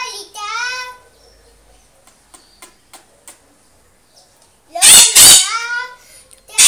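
A parrot sings along with a child: short voiced, sliding phrases, then a loud harsh burst of squawking, sung notes near the end, and soft clicks between.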